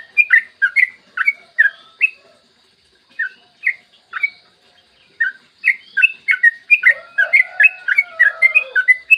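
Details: Morning master recording of a yellow-vented bulbul in full ropel song, used to lure others into singing: bright, bouncy whistled notes in bursts, broken by short silences at two and five seconds, ending in a dense, fast warbling stretch with lower slurred notes.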